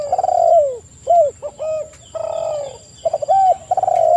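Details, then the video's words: Lure recording of spotted doves, meant to make other doves respond: stuttering rattle-like onsets lead into smooth downslurred coos and short arched notes, several birds overlapping, with faint background hum. "TEKUKUR GACOR suara merdu"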